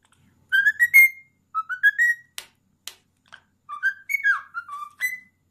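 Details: A 10-year-old male pet cockatiel that loves to sing, often when a towel is nearby, whistles the Addams Family theme indoors: clear, tuneful whistled phrases with rising and falling notes in short bursts, plus a few sharp clicks.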